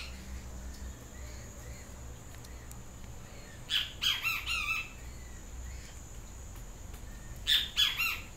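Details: Yellow-crested Great Kiskadee giving loud, shrill calls: a run of four harsh, strident notes, then a shorter three-note burst a few seconds later, over a constant background hiss.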